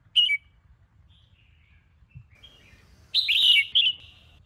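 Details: Caged red-whiskered bulbul of the Sông Kôn line, singing in the morning for voice training. A short chirp opens, faint soft notes follow, then a loud tumbling warbled phrase lasting under a second.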